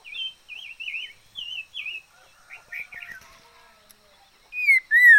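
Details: Decoy liocichla singing a row of soft wavy whistled notes, a quieter scratchy passage, then two loud clear swooping whistles at the end.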